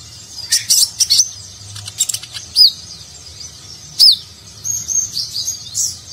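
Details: Sunbird locally called konin, performing gacor Nagen-style song as tutor material for competition birds: bursts of very high clicking chips, two loud arched whistled notes, then a softer high twitter.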